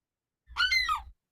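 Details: A Herring Gull on Appledore Island, Isles of Shoals, gives a single harsh, nasal alarm note that rises and then falls, its high-threat version.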